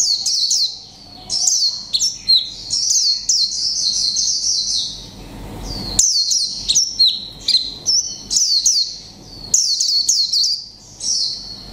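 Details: Singing caged white-eye of the mộc tinh kind, one month caged, in the líu pha chòe trống style: a steady series of short high phrases, each a tumble of sharp descending chirps, repeated roughly every second.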